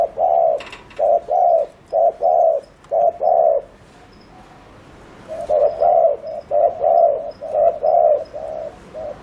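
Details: Spotted dove calling in the speedy 'gù' style used for luring other doves: a run of rapid hollow coos, a pause of about two seconds, then the quick coos resume.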